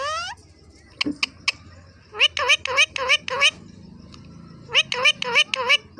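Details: Pet ringneck parrot taught to talk in Hindi, giving quick bursts of harsh, harmonic, speech-like syllables in two runs of about five notes each, with a few sharp clicks between them.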